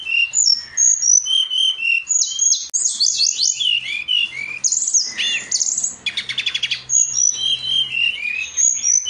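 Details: Masteran recording of a brown-chested jungle flycatcher singing a lively stream of high whistles and sliding phrases, with a dense chattering burst and a quick rattling trill mid-song before the clear whistled notes resume.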